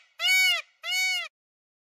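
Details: Two brassy, ringing screams from an Indian peacock, filmed with a Canon EOS 3000D camera, follow each other quickly, each about half a second long and gently falling at the end. Silence follows.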